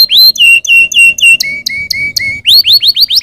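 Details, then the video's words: Canary song intended to stimulate other birds into singing: distinct tours of clear whistled notes, first a few falling slurs, then four flat whistles with sharp high clicks, then rising chirps repeated about five times. "Suoni di canarini che cantano per stimolare i suoni degli uccelli"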